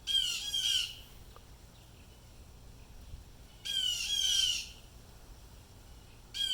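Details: Blue jays calling in distress after apparently seeing or hearing something; two bursts of harsh, raspy jeer notes separated by a quiet gap of nearly three seconds.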